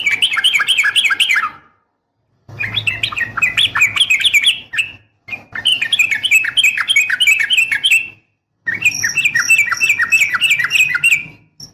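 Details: Female sooty-headed bulbul calling a male, fighting-style rapid 'nggaruda' song: four bursts of dense, bubbling, chattering notes that rise and fall, broken by short silent gaps, with a faint low hum behind.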